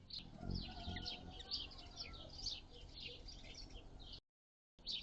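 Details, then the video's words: A hummingbird chips busily on June 7, 2022, a day with temperatures from 51F to 76F. High, sharp notes tumble in irregular quick runs over low ambient noise, and the sound briefly cuts out near the end. "Hummingbirds - June 7, 2022"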